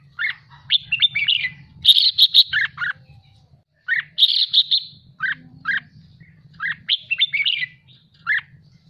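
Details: Excited, fired-up red-whiskered bulbul in song training, giving repeated bursts of rich chattering whistles, some phrases dense and buzzy, others clipped two-note motifs, with low background hum throughout.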